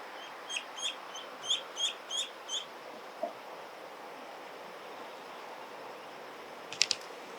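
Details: Eastern spot-billed duckling calling loudly, its voice perhaps breaking, filmed with a super-telephoto compact camera: a run of seven short, high, squeaky peeps about every third of a second, then quiet, with a brief sharp burst near the end.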